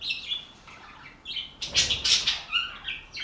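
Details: Budgerigars in a flock give quick high chirps and scratchy warbled notes, then a loud burst of harsh squawks and rapid overlapping chatter in the second half, with wing flutters among them.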